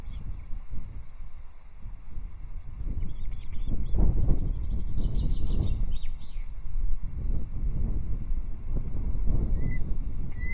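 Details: Osprey chicks on a Loch Arkaig nest, 14 June 2024, at feeding time after a trout delivery: a burst of rapid high chirps in the middle, then scattered single notes, with strong gusting wind noise throughout.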